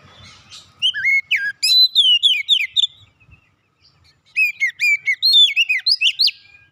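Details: White-rumped shama in song, kept as a cage bird, for soothing a stressed bird: two dense bursts of varied whistles, sharp upslurred chirps and rapid repeated notes separated by a brief silence.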